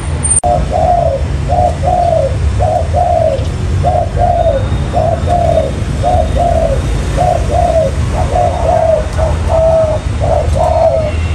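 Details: Spotted dove cooing used as bait for trapping wild doves: about a dozen two-note coo phrases in steady succession after a brief click at the start, over low continuous hum.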